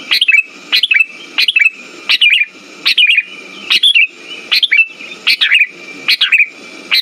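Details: Sooty-headed bulbul song played to stimulate birds that have stopped singing. Bright, bubbly chirp phrases repeat about every 0.7 seconds through seven seconds, over a faint constant whine.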